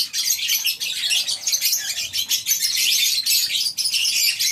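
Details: Lovebirds kept as a colony in a farm aviary, heard in the morning as a steady, unbroken din of shrill, rapid twittering and squeaking from many birds.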